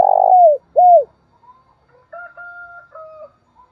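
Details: Spotted dove lure call meant to stimulate a rival: two deep, mellow coos sliding downward, then a quieter, steady, flat whistled tone in the background lasting about a second.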